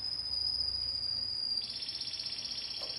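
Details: Timbrado canary holding a thin, high, steady whistled tone, then dropping into a softer rapid trill.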